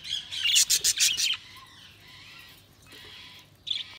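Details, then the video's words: Budgerigars chirping: a fast, loud run of five or six sharp, bright chirps, followed by a hushed stretch of faint chatter and one final squawky note. "Budgies Sounds| Budgies Chirping sound"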